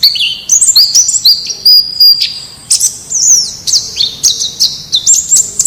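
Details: Wild white-eye song for training captive birds: clear, high, whistled phrases that rise and fall, delivered quickly and continuously with sharp chip notes mixed in.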